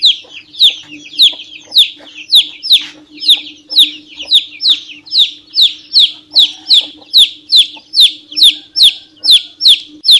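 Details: A domestic chick peeps nonstop, each note a shrill, piercing whistle that drops sharply in pitch, coming roughly two per second, with a quiet steady hum underneath.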